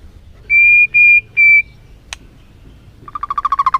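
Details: Lure song of the white-rumped shama meant to excite a caged bird: three clear, level whistles of equal length, a sharp click, then a quick rattling series of short notes.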